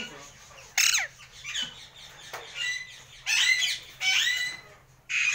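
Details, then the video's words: Alexandrine parakeets, several newly acquired untamed birds kept as pets, giving harsh, raspy squawks in short bursts of about half a second, separated by pauses, with quieter chatter between calls. "Alexandrine Parrot Voice"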